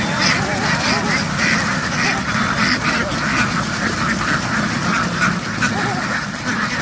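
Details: Many farm ducks scramble between water and shore in a field, giving loud nasal quacks, several per second, layered over a constant rumble of the crowded flock.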